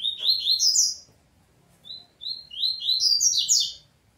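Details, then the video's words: Double-collared seedeater squabbling with its family, giving fast bursts of high sweeping chirps, a pause, then single whistled notes building into another dense run of slurred calls. "Coleiro Peteteu Briga com Família"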